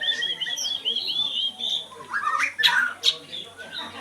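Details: Oriental Magpie-Robin singing a fast trill of high whistled notes, then rough, grating calls and loud, sharp chips.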